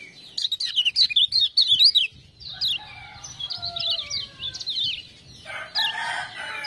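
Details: Energetic twittering from a lemon-bellied white-eye stirred to sing by ciak-ciak prompting: a fast run of sharp high chirps, then looser scattered notes over several low drawn-out whistles, ending in a noisy rustle.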